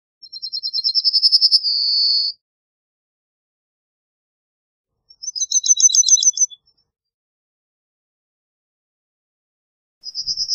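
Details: Yellowhammer delivering its song: a rattling chain of quick identical high notes gaining volume, ending in a long level whistled note, then another fast chipping series and the start of a third.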